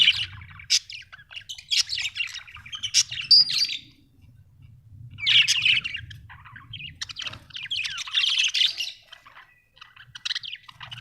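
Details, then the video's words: Happy budgerigar warbling in scattered bursts of scratchy chirps and squeaks with quieter gaps, over a steady low hum. "Happy budgie chirping sound"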